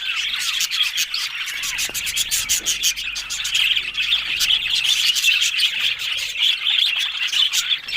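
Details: Chattering budgies in a group, a busy stream of overlapping warbles, clicks and short tweets running steadily for the whole stretch, with faint low rumbling underneath.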